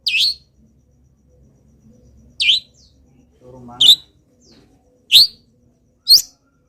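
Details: Long-tailed shrike, local type, singing hard through its moult with copied wild bird sounds; five short high upward-sweeping whistles spaced about a second apart, with a brief low murmur in the middle.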